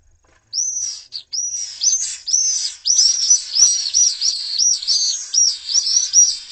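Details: Pallid swifts (Apus pallidus) at a nest in a school in Jerez, Spain, give rapid, high, buzzy screams in overlapping bursts, several each second, as they fight over the nest.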